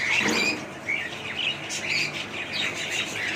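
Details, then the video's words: Budgerigar chirps: short, bright whistled notes, some sliding up or down, spaced irregularly through a few seconds over a faint steady background hum. "budgies parrot sound"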